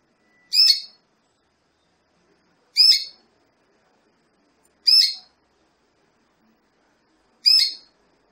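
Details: Female Belgian canary, used to stimulate a male for breeding, giving short harsh chirped calls about every two seconds, four calls in all, clean and otherwise quiet background.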